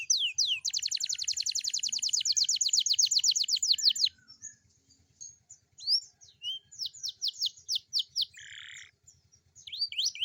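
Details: Young canary morning song, a lure for other young birds: a fast, loud, even trill of high falling notes for about three seconds, then scattered slurred whistles, a short buzz and more sweeps, over faint low hum.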